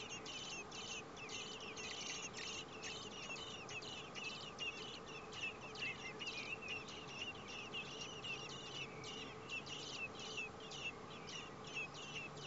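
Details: Four common blackbird nestlings begging in a nest as both parents bring food, in heat above 30 °C; a dense run of short, high, squeaky calls repeated rapidly and almost continuously over a steady low hum.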